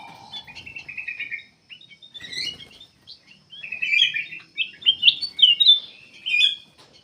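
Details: Black-capped bulbul in full song, recorded for use as a lure to set other birds singing: rapid chattering phrases of bright, stuttering notes. A low, steady whistle opens the clip, followed by a brief pause, then louder burry warbles.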